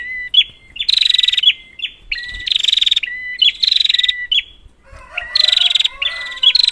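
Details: Lure recording of a prinia for birds that have stopped calling: harsh, rapidly pulsed buzzy bursts broken by short, flat whistles, delivered in quick succession with a brief lower rasp near the end.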